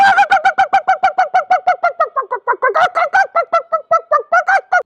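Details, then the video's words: Hen in winter screaming an alarm when a kite or mongoose comes: harsh, nasal notes repeated rapidly, about five per second, falling slightly mid-series and then picking up again. "এমন সময় চিল বা বেজি আসলে চিৎকার দিয়ে ওঠে মুরগি।"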